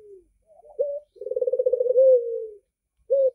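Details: Barbary dove with red eyes giving its call: a quick rising note, then a vibrating, rolling low coo lasting over a second that ends in a smooth steady tone, followed by another short note.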